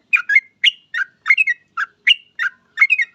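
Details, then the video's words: A trucuk, the yellow-vented bulbul, sings a lively lure song meant to set other bulbuls calling. It gives quick paired, warbled notes, bright and chirpy, repeated without pause against a silent background. "Trucuk gacor ini paling cocok buat pancingan trucuk lain agar cepat bunyi"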